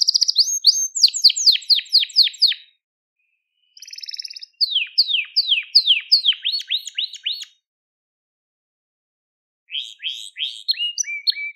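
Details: Crested Gloster canary song used for training young birds: bursts of quick, sharply falling whistles repeated in series, a short buzzy roll between phrases, and long pauses between bursts.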